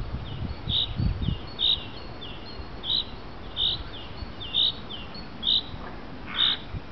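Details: Common chaffinch calling in the afternoon, a regular series of brief, clipped high notes spaced roughly one second apart, with some low rumbling at the start and one harsher note near the end.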